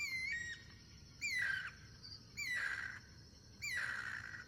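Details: Guira cuckoo singing in the wild in its natural habitat, in cross-singing: loud descending whistled notes, each gliding down and repeated about every 1.2 seconds, over a steady high insect hum.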